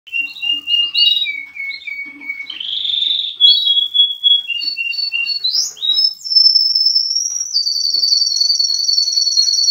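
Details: Canary and linnet hybrid bird singing a varied song of whistled notes and trills, with long steady tones, rapid rattling phrases and a high sustained trill near the end.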